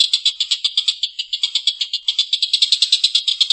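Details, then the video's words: Collared kingfisher's rough laugh: a quick sequence of grating, pulsed notes, evenly spaced, continuing without pause. "Suara tengkek buto||masteran burung gacor ngekek panjang suara kasar"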